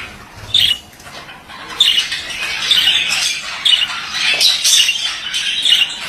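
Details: Male budgerigar chattering: scratchy, high warbled bursts with sharp squawks near the start and around two and four seconds, between quieter buzzy stretches.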